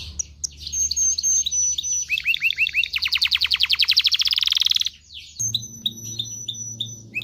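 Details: Singing canary meant to stimulate males and females to mate: high whistles, a series of curved chirps, a fast buzzy trill, then more thin repeated whistled notes.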